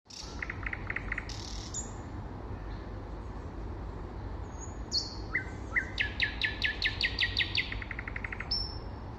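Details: Common nightingale singing in spring: varied phrases of high whistles and sharp notes, including fast repeated trills around the middle and a long rattling burst of rapid clicks, over steady low background noise.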